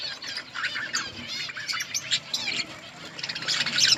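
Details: Outdoor budgerigar colony feeding and chirping: clear, quickly repeated warbled phrases and squeaky chirps from several birds, ending in a dense, bright burst of chatter.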